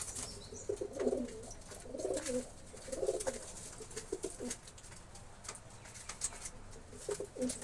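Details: Low, bubbling pigeon coos repeated about once a second in rounded phrases, fading to softer scattered notes, over steady background hiss.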